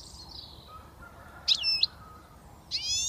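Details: Young British goldfinch just starting to whistle: two short bright notes with high buzzy harmonics, separated by quiet, over faint background hiss.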